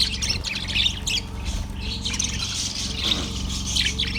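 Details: Yellow budgerigar on February 18, 2024, uttering scratchy, squawky chirps and chatter in loose clusters, fairly continuous, against a loud steady low hum.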